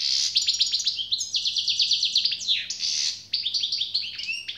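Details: European goldfinch pouring out song, described as generous, with dense rapid trills of ticking notes, a loud buzzy passage midway, and lively twittering toward the end, above a faint low hum.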